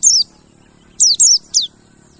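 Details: Mountain white-eye lure call to provoke song in quiet birds: four thin, high notes, each dropping steeply in pitch. The first stands alone, the last three come close together. A faint low murmur runs beneath.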